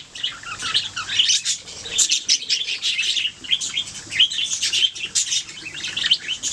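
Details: Budgerigars singing, a busy mix of chirps, squeaks and short rising and falling whistles, tumbling on continuously in a bright high chatter.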